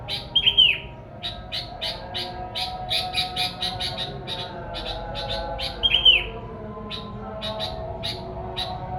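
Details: Sooty-headed bulbul song used as a lure for wild bulbuls: rapid, buzzy chirps repeated in quick runs, broken twice by a short, clear descending whistle, over a steady low hum.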